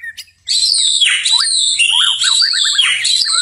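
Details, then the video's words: White-rumped shama keeps singing after dark: a brief thin note, then a continuous fast stream of bright, rich whistles and quick descending slurs. "murai batu tetap gacor di malam hari"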